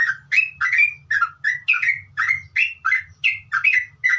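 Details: Sooty-headed bulbul singing in the rapid, continuous 'ngeropel' style, used as training audio for caged birds: bright whistled notes, each rising or slurring, repeated about two and a half times per second without pause, with a low hum underneath.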